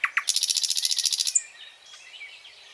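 A nightingale gives two sharp opening notes, then a fast, loud trill of about a dozen pulses, trailing off into soft, high warbles.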